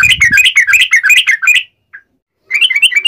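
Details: Yellow-vented bulbul in uplik ropel fighting song, meant to trigger answers from other birds: a quick tumbling series of warbled notes, a lone short note, then the chatter resumes.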